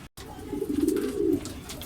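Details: After a second truck training release in Guiguinto, Bulacan, racing pigeons come home mostly in a group; one low, throaty coo swells for about a second after a brief dropout.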